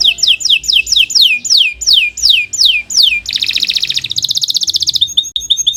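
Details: Canary in long, continuous song, meant as a training recording for young or silent birds: a run of about ten loud whistled notes each sweeping downward, then a fast buzzy trill and a high rattling trill.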